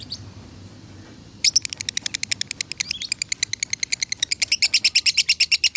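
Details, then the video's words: A lovebird from Salatiga, Indonesia, sings in konslet style for use as a training tutor and scored 8400 points: after a quiet start, a loud, fast, unbroken string of shrill, high chirps rolls on steadily to the end. "Masteran Lovebird Konslet ASLI"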